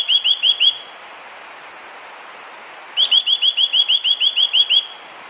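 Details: Eurasian nuthatch, a Japanese wild bird, calling with a clear voice: a rapid series of bright, whistled, up-slurred notes, first four quick notes, then after a two-second pause a longer run of about eleven, in a quiet setting.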